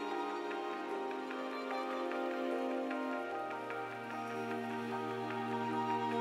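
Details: Soft, calm new-age music with sustained tones and a gentle pattering like rain plays throughout, with no animal voice.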